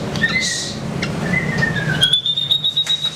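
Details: White-rumped shama (murai batu), a gacor singer: clear level whistles, a drawn-out slightly falling whistle, then a high sustained whistled note with a rhythmic pulsing quality, over a faint low rumble.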